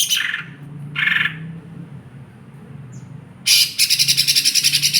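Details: Lesser green leafbird, a 'fighter' songbird, sings loud broadband bursts, then a fast buzzy high trill of evenly repeated notes. A steady low hum runs underneath.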